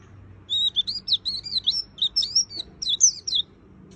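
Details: Lively white-eye song begins after half a second of quiet, then runs as a three-second string of varied high chirps and slurred whistles, some rising and some falling.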